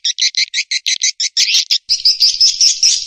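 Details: Calling-and-roosting swiftlet sound used in Indonesia to attract birds to a nesting house: evenly spaced high raspy chirps that merge into a continuous buzzing twitter with faint whistled overtones.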